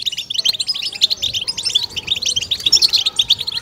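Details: Short passage of goldfinch 'betbeta' stimulation song: clear, bell-like high notes and quick chirps repeated in a lively, evenly paced chatter.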